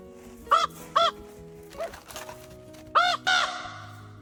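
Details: Poe, a rescued raven that can no longer fly and uses a specific greeting call for people he knows, gives five arched, ringing calls in loose pairs, rising then falling in pitch, over soft background music.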